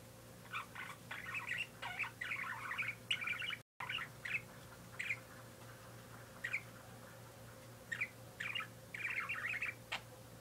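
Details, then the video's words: A pet parakeet chatters in quick bursts of scratchy, warbling chirps, pausing briefly between runs, over a faint steady electrical hum. "Parakeet Making Noise"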